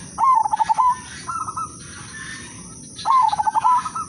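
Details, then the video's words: Zebra dove singing the udanmas silver style as a lure song: two loud phrases of rapid pulsed coos three seconds apart, each ending in a sustained note, with softer cooing from another bird between them. "perkutut/merbok udanmas silver irama merdu spesialis pancingan bikin semua perkutut ikut manggung"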